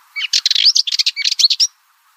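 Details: A single compact Cyprus Warbler phrase: a fast, gritty rattle lasting about one and a half seconds, laced with brief rising whistles.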